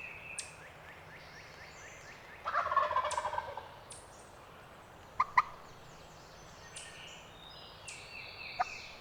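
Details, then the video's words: Wild male turkey gobbling from the limb at dawn on a spring roost hunt in Pennsylvania's public hills: one loud rattling gobble of about a second and a half, then sharp clucks, with songbirds singing throughout. "BEST GOBBLING bird of the 2020 season!"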